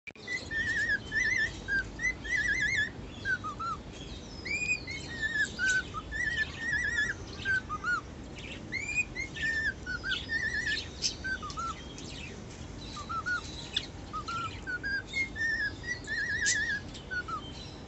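A male cockatiel sings a run of clear, warbling whistles in short melodic phrases.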